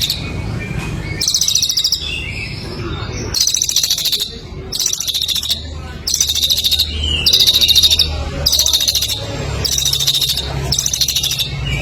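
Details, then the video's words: Songbird from a bird-contest training recording, in a super gacor style: a long run of shrill, rattling bursts, each about a second long, repeated steadily with short pauses, over a soft low rumble. "masteran burung lomba super gacor"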